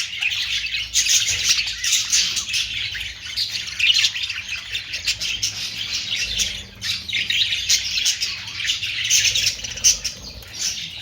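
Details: Continuous chatter from budgerigars, the Australian parrot: overlapping warbled chirps and rough squawks, swelling in louder waves around four and nine seconds.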